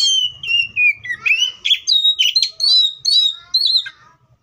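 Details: Oriental magpie-robin singing in the wild: a long continuous run of clear whistles and slurred warbling notes, rising and falling, fading at the end.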